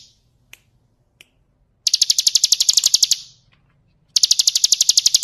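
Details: Bar-winged prinia, 'kristal' song style, a tutor recording for training birds to sing. After a few isolated clicks, two bursts of rapid, high, rattling trill follow, each lasting about a second and separated by a short silence.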